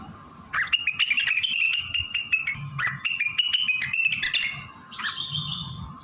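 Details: Blue-winged leafbird singing vigorously, its song filled with imitations of magpie-robin, canary, prenjak, ciblek and kapas tembak; long streams of high, fluttering notes studded with loud rhythmic clicks, ending in a clear rising whistle.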